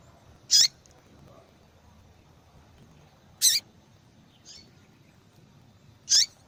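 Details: A female yellow-bellied seedeater calls to stimulate a male's singing. Three brief, bright, high chips come about three seconds apart, with one faint softer note between them. The background is otherwise quiet.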